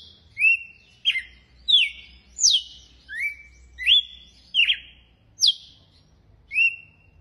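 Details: A red-cowled cardinal in Brazil sings its "açoite" (whip) song, a string of sharp, bright slurred notes about one every 0.8 seconds, some sweeping down and others flattening out, over a faint low hum.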